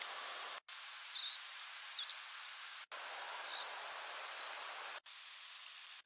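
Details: A compilation of European Pied Flycatcher nocturnal migration flight calls: short, thin, high-pitched notes about one per second, some rising, some falling, over a soft background hiss.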